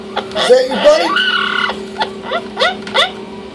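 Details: Male Orange-winged amazon parrot playing in and around its nesting box indoors, talking: a few squawky speech-like phrases with rich harmonics and sliding tones, then short upward-rising chirps repeated roughly every third of a second.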